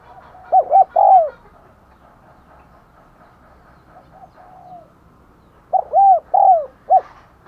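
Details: Decoy spotted dove cooing to call in wild doves: two phrases of soft, hollow, mid-pitched coos in a short-long-long-short pattern, separated by a pause of about four seconds, with faint background hum.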